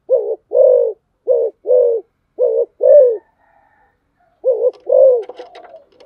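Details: Caged spotted dove used as a decoy bird gives loud, hollow coos in pairs, each a short note then a longer rounded one. A gap of over a second falls before the next pair, and faint chirps sound at the end.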